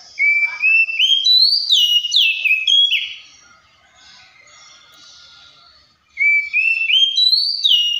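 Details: Oriental magpie-robin song: rising stepped whistles and quick downward slurs, a pause of about three seconds, then the same climbing whistled phrase starts again.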